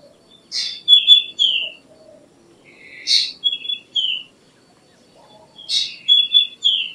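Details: Black drongo repeating a three-part phrase roughly every two and a half seconds: a scratchy high note, then a quick pair of downslurred whistles.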